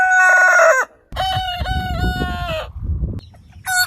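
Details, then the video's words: Rooster crow from a collection of heritage chicken breeds: the end of one crow, a silence, then a full harmonic crow held about a second and a half, low rumbling background and a crow fragment at the end. "Chicken Crowing Ayam Berkokok Con Gà Gáy"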